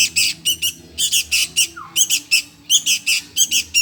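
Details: Sooty-headed bulbul nestling begging to be fed: insistent, scratchy squawks repeated in rapid rhythmic pairs, each call harsh and high, keeping up an almost continuous pulsing pattern.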